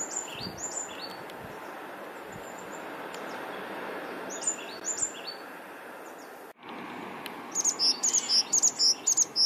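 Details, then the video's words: An African blue tit that lost an eye and a leg in an attack keeps singing and calling back on a windy day: thin high notes, then fast runs of bright repeated trills over steady rushing wind hiss. "African Blue Tit song, call and response bird chant"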